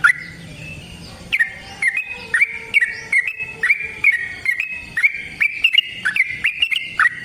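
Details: Yellow-vented bulbul, a caged bird kept for song, giving a long fighting song meant to provoke another bird: rapid chains of bright, bubbling whistled notes with sharp clicks between them, repeated about twice a second.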